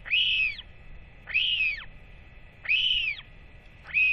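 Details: Loud, repeated wheeing from a Northern royal albatross chick fed by both parents on 8.10.24; strong arched calls rising and falling in pitch, about one every 1.3 seconds.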